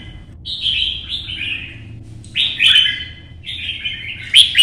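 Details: Red-whiskered bulbul in competition song, hopping on its perch, giving short slurred fluty phrases that fall in pitch, separated by brief gaps, the later ones louder and sharper; low mechanical hum throughout.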